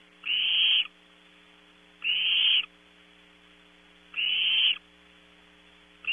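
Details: Young barn owls at Audubon Starr Ranch, California, on a nest camera at 0300 hours as they compete for and eat prey. Three long, rasping hisses spaced about two seconds apart, with a low hum underneath.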